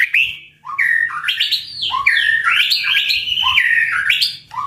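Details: Powerful tạch-style song of a white-rumped shama, played to provoke birds into fighting, flows almost without pause as rich, swooping whistles rising and falling in quick succession, laced with sharp accents.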